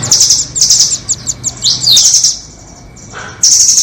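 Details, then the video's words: High chattering nuthatch calls, doraemon versus red-billed, used to lure birds: dense shrill trills and quick chips with a brief downward slurred note, a pause of about a second, then another trill starts. "Pikat burung rambatan doraemon vs paruh merah"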